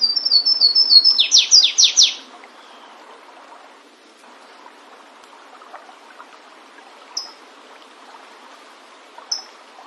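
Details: Flavescent warbler singing in the wild: a run of thin high whistled notes speeding up into four loud buzzy downslurred notes, over in about two seconds, followed by quiet with two isolated short high chips.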